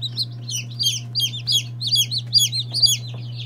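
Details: Peeping of day-old chicks, a mixed group of Lavender Orpingtons, Marans, Silkies, Seramas, Legbars and Salmon Faverolles: high, falling chirps repeated rapidly, a few birds overlapping, with a constant low electrical hum.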